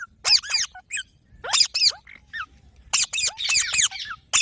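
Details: Harsh, grating screeches from a green parrot, clustered in quick bursts of two to four arched notes, with brief pauses between clusters and a softer rising squeak in the middle.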